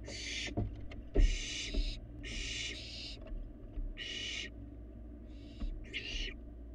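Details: Barn owl fledgling feeding inside an otherwise empty nest box on a live Florida cam: six harsh, broadband hissing screeches about half a second each, at irregular intervals, with low background hum and soft knocks.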